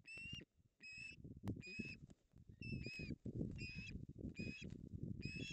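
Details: Ospreys disputing a fish at a nest in the Napiwodzko-Ramucka Forest, 16 August 2021, the female winning. Bright whistled yelps in short clusters about every second, over constant low scraping and wind-like rumble.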